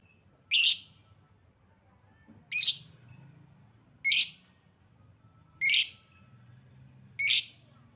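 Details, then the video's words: Lovebird sound used as a lure to make lovebirds respond and sing: five sharp, shrill chirps, each a brief burst, spaced about every one and a half seconds over a faint low hum. "Suara pancingan Lovebird"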